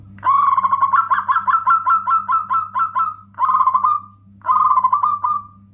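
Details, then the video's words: Local zebra dove with a loud, specially rhythmic song used to excite other doves and coax silent ones into singing; a long run of rapid, stuttering coo notes, then two drawn-out rolling coos, over a steady low electrical hum. "SUARA PERKUTUT LOKAL ( PEMIKAT AMPUH PERKUTUT MACET BUNYI )"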